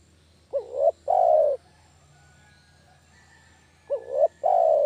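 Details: Spotted dove lure sound for dove catching: a complete two-part coo, wavering rising note then prolonged mellow coo, and a second phrase around three seconds later that is cut short at the end.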